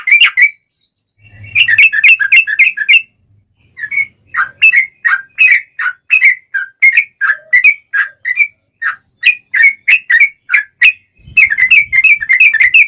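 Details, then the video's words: Yellow-vented bulbul singing a long rapid trill style meant to provoke replies from other bulbuls. Bursts of quick, bright chirps run with short pauses, with a brief low rumble in places. "SUARA trucukan gacor ROPEL PANJANG pancingan trucukan agar bunyi"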